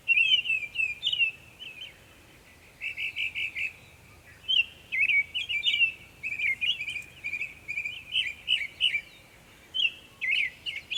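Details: Northern mockingbird singing varied phrases in Savannah, New York, 23 May 2021; high squeaky and chattering notes given in short bursts, each phrase repeated a few times before switching to a new one, over steady faint background noise.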